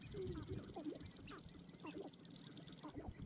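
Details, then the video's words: Sharp-tailed grouse at a dancing ground: several short, bent, cackling notes from more than one bird, some dipping then rising, scattered through a few seconds over a low, rumbling background. "Sharp-tailed Grouse Dancing Ground"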